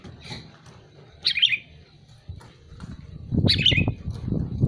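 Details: Two scratchy, bright chirps from a calling sooty-headed bulbul, the second followed by loud low thumping and rustling noise.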